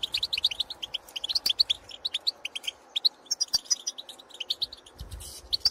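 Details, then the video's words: European goldfinches calling in the field to birds of their own species: clusters of rapid, bell-like twittered notes in short runs, broken by brief pauses and a few higher, thinner chirps. "𝗘𝗦𝗧𝗜𝗠𝗨𝗟𝗔𝗥 𝗠𝗢𝗧𝗜𝗩𝗔𝗥 𝗝𝗜𝗟𝗚𝗨𝗘𝗥𝗢𝗦 𝗔𝗥𝗥𝗔𝗡𝗖𝗔𝗥 𝗔 𝗖𝗔𝗡𝗧𝗔𝗥 𝗝𝗜𝗟𝗚𝗨𝗘𝗥𝗢𝗦 𝗣𝗜𝗧𝗢𝗥𝗥𝗘𝗢 𝗬 𝗟𝗟𝗔𝗠𝗔𝗗𝗔𝗦 𝗗𝗘 𝗝𝗜𝗟𝗚𝗨𝗘𝗥𝗢 𝗖𝗔𝗗𝗘𝗥𝗡𝗘𝗥𝗔"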